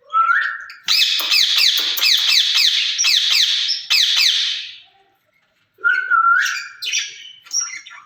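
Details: Two caged rose-ringed parakeets talking to each other, said to speak Urdu: a rising whistled note, then a long run of harsh, rasping, rapidly repeated bursts, a pause, and further whistles and scratchy calls.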